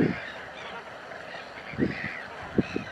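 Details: Chilean flamingo at Laguna Negra, where there are about 5,000, giving four short, low, goose-like honks, spaced unevenly over three seconds, over a steady hiss of background noise.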